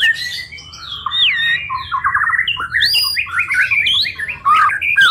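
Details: White-rumped shama in continuous varied song for training songbirds, mixing long gliding whistles with quick chattering trills and rising notes, loud and unbroken throughout.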